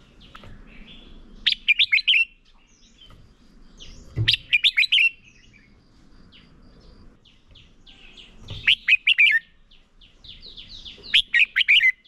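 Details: Decoy red-whiskered bulbul in competitive song, meant to stimulate other bulbuls to sing: four loud, quick phrases of rippling whistled notes spaced a few seconds apart, softer twittering in the gaps and occasional low knocks.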